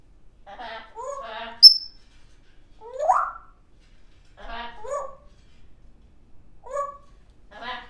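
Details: Baby African grey parrot kept as a pet, mixing talking-like phrases with a sharp high whistle and a rising squeak, in several separate bursts indoors.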